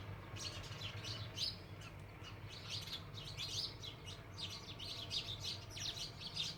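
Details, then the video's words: Flock of house sparrows, a homestead bird now described as rare, giving busy overlapping chirps in clustered bursts, with low rumbling background noise throughout. "House sparrow((चिमणी पाखरं)).... chirping sound of birds.."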